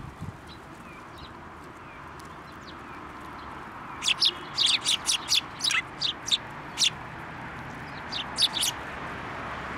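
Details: Sparrows flying onto a hand to be fed at a Tenmangu shrine on 7 December 2023: a cluster of short, high chirps and tweets from about four seconds on, several in quick succession, over a steady background hum.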